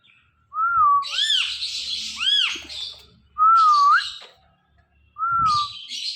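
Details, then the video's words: Ringneck parrot imitating sounds: smooth level whistles alternating with arching, buzzy squawks, the pattern repeating about once a second, with occasional soft thumps. "Talking Ringneck Parrot Making Sounds"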